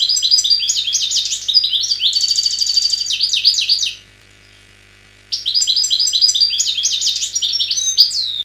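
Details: Algerian wild goldfinch singing, recorded 2003: a long, dense phrase of jangling twitters and a buzzy trilled stretch, then silence of over a second, then another lively twittering phrase, with a faint low hum beneath.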